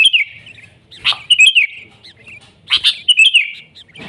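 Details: Wild sooty-headed bulbul in lively 'gacor' song: sliding chirpy phrases alternating with sharp accented notes, about two phrases in four seconds, over faint low background murmur.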